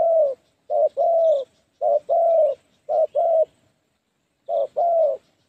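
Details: Decoy spotted dove in the 'phá lúa' style, calling to lure wild doves for trapping; low two-part coos, a short note then a longer hoarse one, repeated four times with uneven pauses, faint chirps above.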